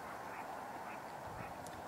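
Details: Mallard, probably a couple of females, unseen among northern pintails and green-winged teal, quacks a few harsh nasal notes in quick succession over a steady, noisy background.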